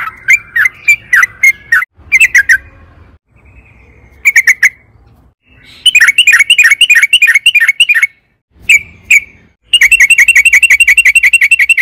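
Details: Sooty-headed bulbul pouring out long rapid 'ropel panjang' song to lure caged birds into singing: choppy bursts of slurred whistled chirps, then long fast runs of evenly spaced notes, separated by sudden silences.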